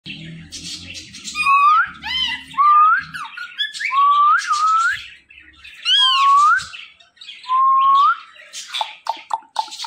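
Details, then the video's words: Talkative pet Indian ringneck parrot producing a string of rising whistled phrases, each a quick upward sweep, with harsh squawky syllables between them and a burst of short chattering notes at the end. "So Much Talkative Indian Ringneck Parrot"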